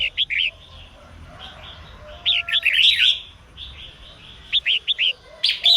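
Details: Female red-whiskered bulbul singing to encourage males to sing; clusters of three quick whistled notes open and close a run of looping, bubbly warbles.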